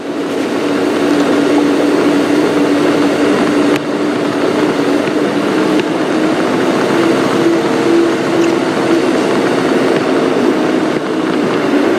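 A vehicle engine hums steadily throughout, with no animal calls heard.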